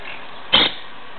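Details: A monk parakeet (Myiopsitta monachus), recorded 17 July 2008, gives a single harsh, grating squawk lasting under a fifth of a second, over a faint steady background hiss.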